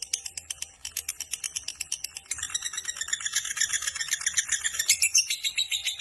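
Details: Long ngekek of a fighter lovebird, starting with evenly spaced clicking pulses and then breaking into a denser, harsher, continuous chatter.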